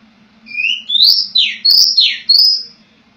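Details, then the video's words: Oriental magpie-robin lure song, used to get a silent bird singing: clear whistled notes sweeping up and down, several quick slurred phrases in about two seconds, with a faint low hum beneath. "suara pancingan untuk kacer bisu"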